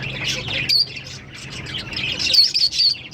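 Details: Green Fischer's lovebirds twittering in high scratchy bursts, a shrill squeak early on and a run of quick piercing notes toward the end.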